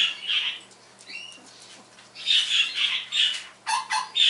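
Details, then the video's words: Captive pet parrot imitating sounds one morning, including phone tones, game noises and canary song: a few soft rising whistles, then a fast string of shrill, squawky chirps repeated several times, ending in clipped bursts. "Noah Does Sound Effects"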